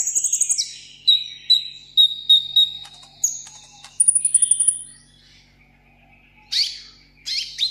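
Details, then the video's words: Caged sunbird singing solo for contest: quick chattering burst, a string of piercing whistles, a fast high trill, a quiet pause, then harsh scratchy notes at the end. "hút mật 7 màu hót đấu solo"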